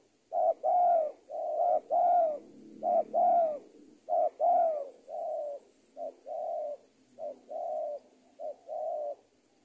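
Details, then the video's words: Spotted dove used as a tutoring recording for training young birds. Low, hollow coos in short grouped phrases, about a dozen notes over nine seconds, some double-noted and emphatic, with a faint steady high tone behind. "ajaran tekukur super penguku"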